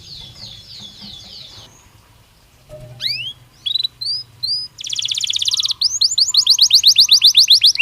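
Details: Belgian canary in natural song: after a quiet start, sharp rising whistles and short notes, then a buzzy rattling trill and a fast series of repeated swept whistles.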